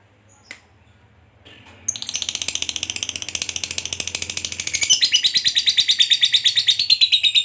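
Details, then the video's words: Fighter lovebird giving a long ngekek trill, used as a lure to provoke other fighter lovebirds; after a few soft clicks, a fast, continuous high chattering trill begins near two seconds and grows louder and sharper toward the end. "Pancingan Lovebird Ngekek Panjang SUPER AMPUH, Ngetik Ngekek Bikin LB Fighter Terpancing EMOSI"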